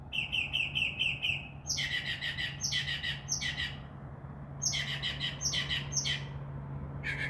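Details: Mockingbird perched in a tree by a window at night, singing its varied imitations: a quick run of thin repeated chirps, then a series of harsh, buzzy, squawk-like notes repeated about once a second, with a low background hum.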